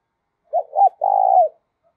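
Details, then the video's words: Spotted dove decoy coo: two brief low hoots quickly followed by a long, even, slightly falling note, a single mellow phrase in silence. "tiếng chim cu gáy Mồi thúc và gáy gọi"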